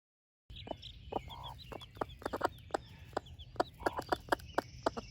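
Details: Broody splash laced red wyandotte hen sharing breakfast with her baby chicks, giving quick low clucks in an uneven run, about four per second, while thin high chick peeps trill above.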